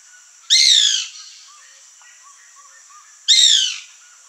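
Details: Wild white woodpecker (Melanerpes candidus), known as birro or cri-cri, in a fruiting backyard, giving two strident, buzzy, downward-sliding calls nearly three seconds apart, with soft faint chirps between them.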